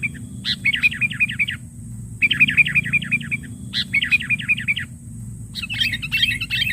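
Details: Lure call of a sooty-headed bulbul challenging rivals: a sharp opening note, then a quick rattling series of bright, bouncing chirps, repeated three times with short pauses, ending in a denser chatter of mixed notes.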